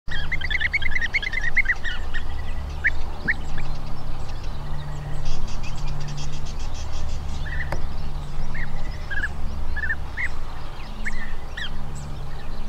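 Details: European bee-eaters in Portugal give short, rolling, liquid calls over a steady low rumble of wind.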